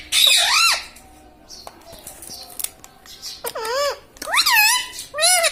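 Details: Pet parrot in a small room that talks, repeating "mitthu" and "mummy": a loud wavy syllable, a quiet gap with faint clicks, then three more nasal, bending speech-like notes.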